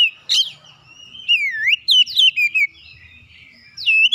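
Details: Oriental magpie-robin singing as a lure to provoke other magpie-robins into song: clear, sliding whistled notes, some dipping then rising, broken by short bursts of sharp, higher chirps and brief pauses.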